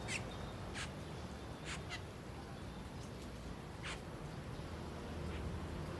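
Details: Asian glossy starlings feeding on ripe papaya fruit, giving a scatter of sharp, high, clicky notes at irregular intervals over a steady low rumble of background noise.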